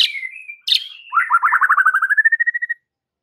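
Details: White-rumped shama song meant to provoke rivals into anger: whistled notes sliding down, then a fast rattling trill of about a dozen repeated notes that rises slightly and fades out.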